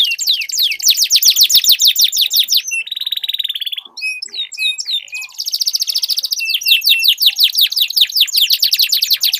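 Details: Duelling canaries give long rolls. Fast, dense trills of sweeping notes alternate with a brief steady buzz, a near-silent gap holding scattered clear whistled notes, and then renewed rapid trilling.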